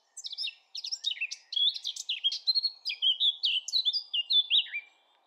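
A Eurasian blackcap sings a rich, rapid warble of varied notes, building into clearer, fluty phrases over about five seconds, with little else heard.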